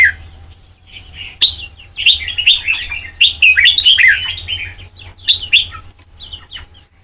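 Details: Song of a white-cheeked red-whiskered bulbul being trained to the Sông Kon style: lively, rapid chains of rising and falling whistles, densest in the middle, with gaps between bursts and a quiet low hum behind.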